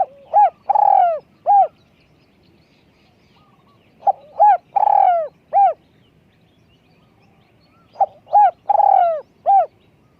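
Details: Spotted dove used as a decoy for luring, with a small-voiced coo: three phrases about four seconds apart, each a short note, a rolling purr and a falling, drawn-out coo, followed by a clipped final note.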